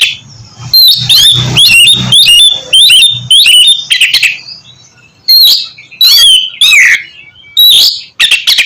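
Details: Oriental magpie-robin, a bird kept for song, singing loudly as a prompt to get another bird to sing: rich whistled phrases with rising and falling slurs and harsh chattering bursts, repeated in short loud bouts with brief gaps and a faint low hum.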